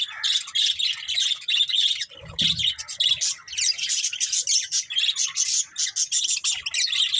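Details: Dense budgerigar chirping, an unbroken stream of rapid, buzzy, scratchy warbling, interrupted once by a brief low knock.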